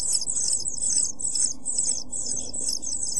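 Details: European pied flycatcher chicks, 7 days old, in a nest box on 23 June 2012, calling in loud, hissing high-pitched bursts repeated roughly twice each second, with a soft hum underneath.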